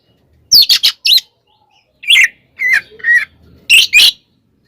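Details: Oriental magpie-robin in 'tarung konslet' fighting song, used to provoke rival magpie-robins into anger: rapid harsh buzzy bursts, then slurred whistled notes near the middle, ending with loud raspy doubled phrases.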